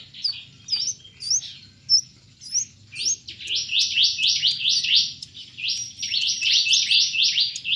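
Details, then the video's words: Brown-throated sunbird (kelapa sunbird) from Subang in a daily care routine: sharp, high chirps, slow and spaced at first, then a fast steady run of bright rising twitters. "Kolibri kelapa Ful Ngobra"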